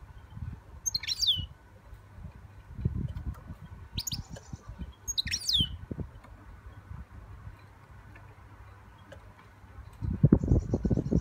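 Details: Young European goldfinch singing: three short, sharp twittering phrases sweep quickly down in pitch at spaced intervals, set against low thumping and rumbling noise that grows loud near the end.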